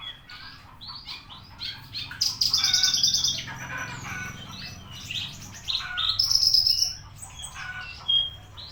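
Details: Javan bushlark, 24 September at ten, singing a long, varied medley of chirps, buzzy twitters and ringing trilled phrases at high pitch, with short pauses between louder bursts and a soft low hum.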